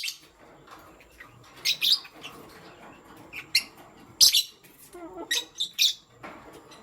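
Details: Pastel gray and green lovebirds kept as pets, in the morning: scattered short, sharp high chirps and squeaks in separate bursts, with quiet gaps and faint background rustling between them.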